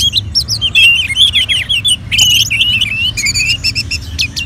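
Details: Orange-headed thrush in captivity in Bali, Indonesia, prompted by colony birdsong playback; a fast continuous stream of high whistled slurs and chirps, rising and falling, with sharp clicks near the end.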